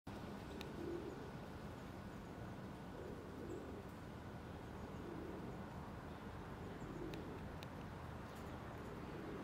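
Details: A domestic pigeon in Ljubljana, Slovenia, on 25 July 2023, near the Natural History Museum, gives soft, low, throaty coos every couple of seconds, half buried in a steady background rumble and faint hum.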